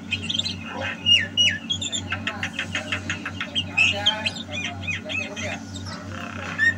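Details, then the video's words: Javan myna singing actively, recorded in 2022: a busy run of harsh, buzzy squawks and clipped chirps, densely packed and uneven in rhythm, with a thin whistle near the end and a steady low electrical hum underneath. "Suara Burung Jalak KEBO Gacor"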